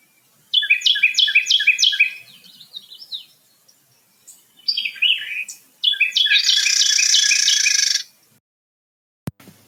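Carolina Wren pair duetting: rapid rolling three-note teakettle phrases from the male, overlapped near the end by the female's harsh buzzy chatter.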